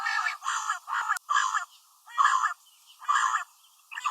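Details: A female common quail utters hoarse, nasal rasping notes of about half a second, repeated a little more than once a second in a regular rhythm.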